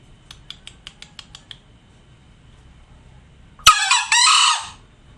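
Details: Tame green junglefowl crowing: a few soft ticking notes, then after a pause one loud, harsh, hoarse two-part crow lasting about a second against a quiet low hum.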